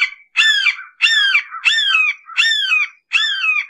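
A red-shouldered hawk gives six loud, harsh, down-slurred kee-ah screams in quick succession, about one every half second, with nothing else heard.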